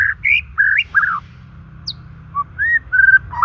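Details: White-rumped shama singing naturally, used to lure and rouse stressed or silent shamas: a burst of slurred whistles and short trills, a quiet pause, then smooth arching whistles and a final rising note, with steady low background hum.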